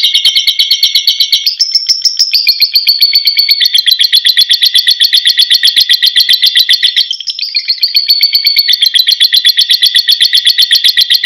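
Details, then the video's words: Caged lovebird sings in the long ngekek style, a shrill, harsh chattering trill of rapid pulses running on for seconds, with slight shifts in pitch and brief breaks between long bursts, clear and loud. "PANCINGAN LOVE BIRDS GACOR FULL NGEKEK || love birds Parrot singing"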